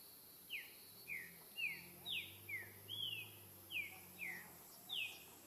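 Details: Green-winged saltator in the wild, singing the song style known as repetidor souto: a string of short, clear, down-slurred whistles repeated about twice a second, faint against a steady background hiss.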